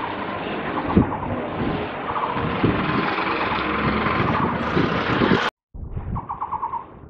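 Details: Taiwan barbet perched on a cable on 27 July 2023, giving low, hollow notes in quick rhythmic bursts, mostly buried under steady traffic roar, then clearer in a brief quieter stretch at the end.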